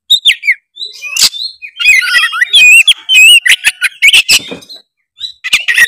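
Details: Oriental magpie-robin singing vigorously as if challenging a rival, used to set off a lazy bird: bright sliding whistles, trilled warbles and harsh clicking notes in dense, varied phrases, with short silent gaps.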